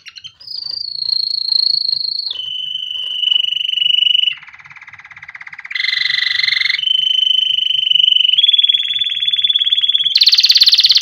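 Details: Training song of a canary for chicks: a chain of sustained tours that step from high to lower pitch. Steady whistles alternate with a soft low rattle, a buzzy middle section, and a final harsh, high trill.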